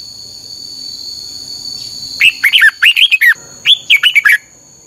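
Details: Singing red-whiskered bulbul, recorded as a lure song for training other birds in the 'căng lửa' style: after a quiet start, two rapid runs of chirpy, swooping notes with a short pause between them, over a constant high hum.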